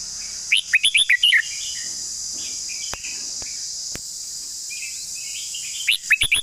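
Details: Long song of a Red-whiskered bulbul: a bright cluster of five or six quick slurred whistles, a pause with soft distant notes and a few clicks, then another rapid burst of whistled phrases.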